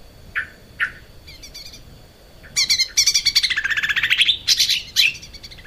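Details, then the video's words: Lesser green leafbird (cucak ijo mini) singing actively, used as a master song for training other birds: two short, clear notes, then a fast, varied run of high chirps and trills lasting about three seconds. "kicau cucak ijo mini gacor buat masteran"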